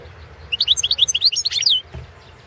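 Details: European goldfinch, subspecies balcanica, in a 2017 competition recording; a rapid series of about a dozen bright, chirping twittered notes over little more than a second, ending in a falling slur.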